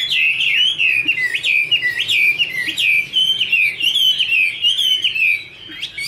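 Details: Kept female Chinese hwamei singing over a background male: loud, clear whistled phrases with quick down-and-up slurs, repeated in a steady series before a brief drop in volume near the end.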